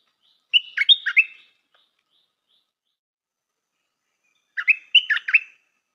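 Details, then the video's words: Two bright, chattering song phrases from a Stripe-throated bulbul used as a decoy, each of about five rapid slurred whistles, spaced roughly four seconds apart with silence between. "Suara pikat merbah lekir"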